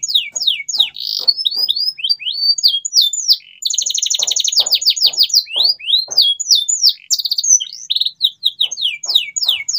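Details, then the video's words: Lively canary song used to coax silent canaries into singing: dense run of high chirping slurs broken by a long buzzy rolled trill, faint clicks below. "CUITAN KENARI 100% GACOR PERANGSANG KENARI BISU AGAR KEMBALI GACOR"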